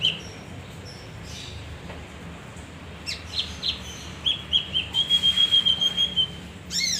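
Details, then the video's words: Male leafbird (kinoi) used as a lure for other birds: soft high notes build into a rapid chattering run, then a long level whistle, ending in a bright arched note. "pancingan kinoi jantan"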